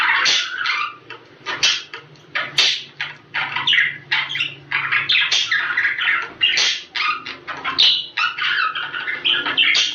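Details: Budgerigars, a sound meant to stimulate mating and breeding: a dense, nonstop warble of squeaky chirps, scratchy buzzes and short whistles, several birds chattering in overlapping bursts with brief dips.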